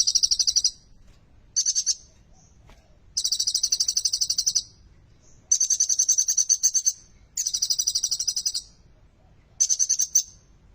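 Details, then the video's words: Olive-backed sunbird in vigorous prinia-inflected song, played to set silent sunbirds singing; six high, rapid, buzzy trill bursts over eleven seconds, steady in pitch, with brief gaps. "KOLIBRI NINJA GACOR FULL MATERI SULTAN, TONJOLAN CIBLEK ! 100% COCOK UTK PANCINGAN KONIN MACET BUNYI"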